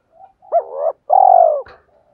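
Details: Spotted dove used as a decoy, calling to lure other doves: a short upward-flicked note, then a longer buzzy, slightly falling coo with a rolling texture, all low and mellow, with faint soft notes before and after.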